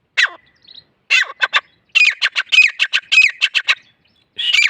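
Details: Grey francolin giving rough, squawky bursts of quick notes in stuttering groups, with brief gaps between bursts, some notes carrying a short whistled inflection.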